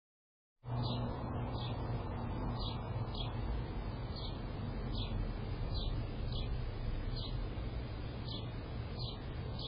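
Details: A thirsty titmouse gives short, high chirps repeated about twice a second over a steady low rumble and hum.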